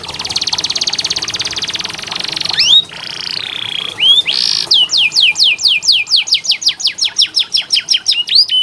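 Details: Canary tutor song used as therapy for birds that sing little. A long, grating buzzy rattle and a few upslurred whistles lead into a steady trill of sharp descending notes, repeated about three times per second.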